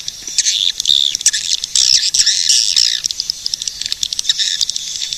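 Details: Busy swiftlet twittering with bursts of squeaky chatter and sharp clicking ticks throughout.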